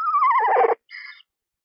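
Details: Screech owl at a nest box holding two owlets one to two days old that are being fed. A loud, quavering whinny slides downward, then a short, softer raspy note follows.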